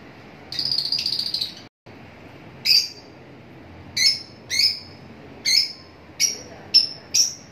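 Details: Lovebirds giving a brief buzzy trill followed by a run of sharp, high chirps, about one every half second, in a quiet setting.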